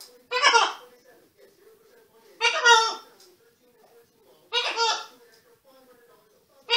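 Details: Pet male Green-winged Macaw living in Canada giving three harsh, raspy squawks spaced about two seconds apart, each rich in buzzy overtones, with a faint low hum between calls.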